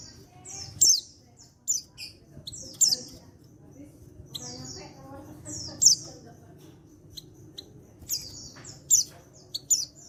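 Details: Calls of a wild-caught male white-eye from Pacitan, used to make other white-eyes start singing: repeated high, thin, downslurred chirps, roughly every one to two seconds, against a busy background of low murmuring noise.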